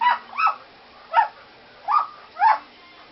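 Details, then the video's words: Pet parrot, female, barking like a small toy-type dog: four short yapping barks, each a quick rising-then-falling yelp about half a second apart, in a quiet room. "Sasha the bird finally starts barking!"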